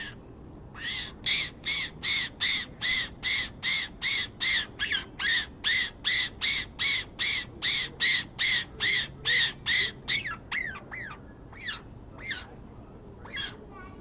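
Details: A male blue-bellied roller, feeding his chicks, gives a long run of harsh, rasping calls, about two and a half a second, steady for ten seconds before breaking into looser, uneven notes.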